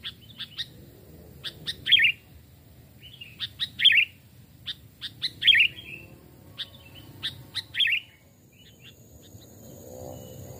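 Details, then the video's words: Captive sooty-headed bulbul, trapped and hand-raised, two or three years old, heard in a forest: repeated clusters of dry clicks, each ending in a bright gurgled phrase, about every two seconds, then quiet with a faint background rumble. "burung kutilang pikat||tes mental dan suara saat di hutan 2 jenis Burung Kutilang"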